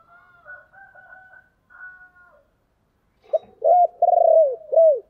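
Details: Spotted dove lure call in the low 'chìm' style, used to provoke wild doves: faint thin whistled tones first, then a loud phrase of a brief note, a quavering sustained coo and a falling final coo.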